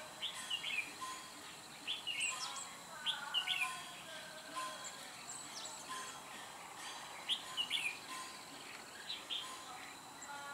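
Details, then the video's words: Trapping decoy red-whiskered bulbul, 3 December 2016, singing to fight: quick clear whistled notes and chattering phrases in irregular clusters, some lower scratchy notes between, over soft outdoor hiss. "Bẫy chào mào bộ khủng hầu bò"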